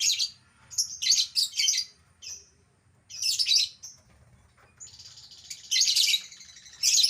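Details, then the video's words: Albino lovebird, a pet cage bird, producing rapid runs of shrill, scratchy high chirps in clustered bursts, with a sustained buzzy squeal near the end. "burung lovebird albino yang jadi primadona"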